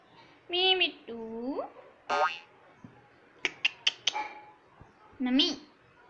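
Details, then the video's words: Rose-ringed parakeet saying mimicked "Mummy Papa" words: two harmonic syllables, one rising steeply, then a short burst, a series of sharp clicks, and a final upward-bending syllable. "Talking Parrot || Mitthu Mummy Papa Bolega"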